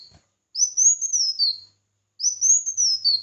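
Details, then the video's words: Red-whiskered bulbul in competitive singing: two clear whistled phrases, each rising then arching and falling, about a second long with a pause between, on a very quiet background. "Chào Mào Hót Đấu"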